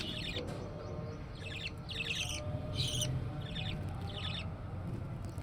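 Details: Budgerigar chicks in lively activity. They give a steady series of buzzy, harmonic chirps, each burst brief and repeated about every half second, over a constant low rumble.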